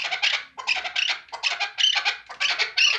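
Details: Chukar partridge kept for hunting, giving loud, harsh clucking bursts in close succession, each a rough broadband note with a thin whistled edge, about six bursts in three seconds.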